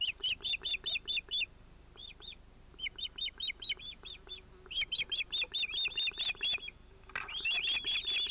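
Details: Ospreys at a nest with two young, 31 July 2018, as a chick disturbs the adult pair. Almost continuous rapid series of loud, high arched whistles, briefly quieter, then a final intense burst with some rustling.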